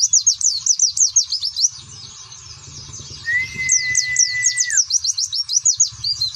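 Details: Young, untrained (bakalan) white-eye giving a fast, high twittering song of rapid down-slurred notes, with a steady whistle held for about a second and a half midway.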